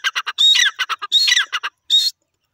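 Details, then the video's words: Young grey francolin calling: a quick series of short, harsh, rattling notes broken by longer squawky phrases with a thin high whistle through them, three phrases within two seconds, then silence. "gora teetar patha ki lovely awaz"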